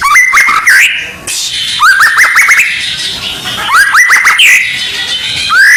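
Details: Shama masteran for contest preparation: bursts of fast rising whistled notes about every two seconds, with rich warbling and chattering between them.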